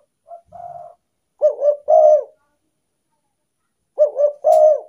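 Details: Spotted dove call used as a lure for wild doves: a faint low coo first, then two full phrases of paired short coos each ending in a drawn-out coo, with a short click in the last one.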